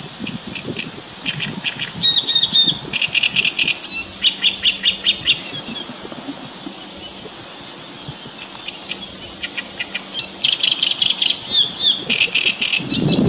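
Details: Great reed warbler (Acrocephalus arundinaceus), 2 June 2017, giving loud, harsh, grating phrases of rapidly repeated notes in two bursts separated by a quieter pause, with a faint low hum behind.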